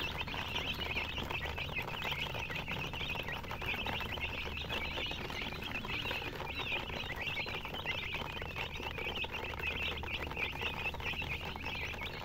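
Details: A crowd of baby chickens chirping continuously, thin high peeps blurring into a busy chorus over constant scratching patter and a faint low hum.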